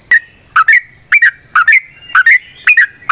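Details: Sooty-headed bulbul (trucukan) giving natural ropel panjang song meant to lure other trucukan: short gurgling double whistles, falling then rising, spaced roughly every half second.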